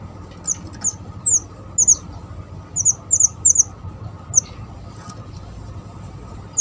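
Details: Java sparrow, used as a lure for bird trapping: high, thin, downslurred chips, often in quick doubles, scattered across the clip over a steady low background hum.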